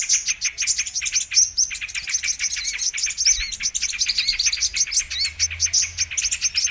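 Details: Brown-throated sunbird lure for trapping: hurried, shrill twitters and squeaky chirps pour out almost without pause, rising and falling in loudness.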